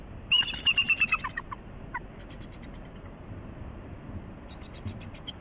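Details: Bald eagle at its West End nest on Catalina Island, California, on a morning visit on 11 November 2016, captured by a nest camera: a rapid, descending chatter of about eight high piping notes, then a few faint scattered calls over constant hiss.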